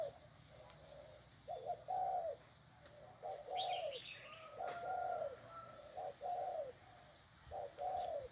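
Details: Chained spotted dove cooing eagerly, with repeated low paired coos, short then long, at a moderate pace, plus a brief higher chirp from another bird and a faint whistled tone.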